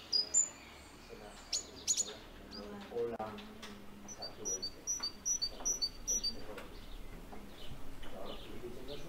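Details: Great tit visiting a window feeder stocked with walnuts, hazelnuts and seeds: a rapid run of high two-note phrases repeated about six times, over background chatter, clicks and general room noise.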